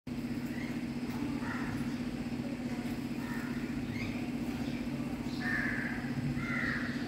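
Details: A disabled crow coping with survival; several harsh, rasping caws, some in quick pairs, over constant traffic rumble and a low steady hum.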